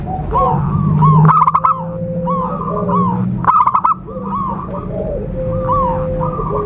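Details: A zebra dove trapping lure: two emphatic stuttered bursts stand out among many overlapping whistled and arching chirps of other birds, over a low droning rumble and a constant high thin tone.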